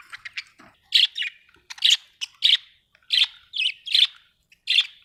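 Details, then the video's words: Budgerigar chirping: loud, sharp single tweets repeated roughly every half second to second, each bright and slightly buzzy, with faint soft twitters in between. "budgie chirping sound"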